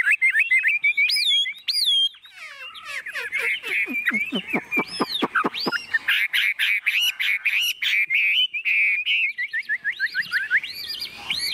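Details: Chinese hwamei kept caged, tame and unafraid, singing while carried and shaken: clear looping whistles, a rapid series of sharp descending notes, then a dense warbling run and rising whistled phrases.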